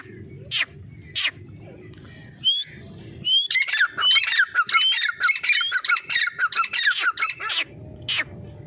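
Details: Grey francolin calling in a dense, harsh burst of rapid repeated notes that mix squawky tones with short rising whistles, building for about four seconds before stopping; sharp clicks before and after, and a low steady hum underneath.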